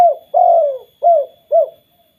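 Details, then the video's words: Spotted dove call meant to set other doves calling: a clipped opening coo, a long mellow sliding coo, then two short rounded coos, low and hollow. A faint steady high hum persists throughout. "BURUNG TEKUKUR KUK 2 BIKIN TEKUKUR LAINNYA BUNYI"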